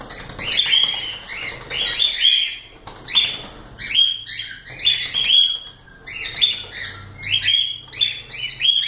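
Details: Cockatiels calling loudly and almost continuously, with harsh rising squawks carrying a clear whistled tone repeated about every half-second to one second.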